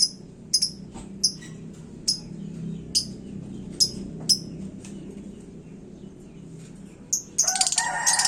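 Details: Lovebird in a hanging cage singing hot, said to provoke other birds: evenly spaced piercing chirps roughly every half second to second, ending in a dense buzzy chattering burst.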